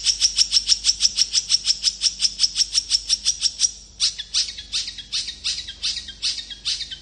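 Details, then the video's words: Long-tailed shrike giving a rapid, tightly spaced run of sharp, high chattering notes, about three per second, then a harsher, looser burst of scratchy phrases, meant to provoke other shrikes to answer. "Cendet gacor speed rapat ampuh untuk memancing cendet lain langsung nyaut"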